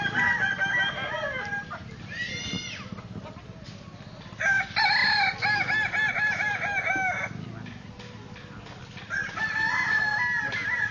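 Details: Kukuak Balenggek roosters crowing at a crowing contest in Solok city, with several long harmonic crows overlapping amid a steady crowd murmur and background chatter.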